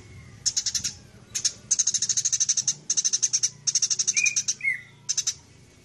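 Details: House sparrows fighting, the 'gereja tarung' style used as a training master for songbirds; rapid trains of sharp, high chirps in bursts of about a second, separated by short pauses, with two brief squeaky notes near the end.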